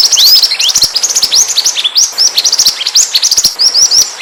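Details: Lure recording of pied triller, a bird whose voice draws others near: busy stream of high twittering notes and arched rising whistles, several per second, punctuated by brief dry clicks.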